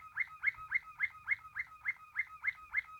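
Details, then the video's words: Waterslager canary, a song canary breed developed mainly in Belgium and prized for soft, deep song likened to dripping and flowing water, giving a steady series of gurgling mid-pitched notes, about four per second. "water selagar canary"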